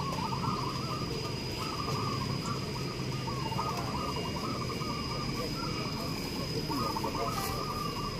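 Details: Zebra dove number 37 at a perkutut singing contest field in Sikemplong, Purworejo, singing from the start: soft, bubbling, trilled coos in repeated phrases, almost without pause, over a steady hum and crowd chatter.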